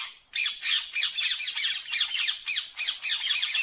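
Rose-ringed parakeet giving a steady stream of harsh, high squawks and chattering notes, several each second, with brief pauses between bursts.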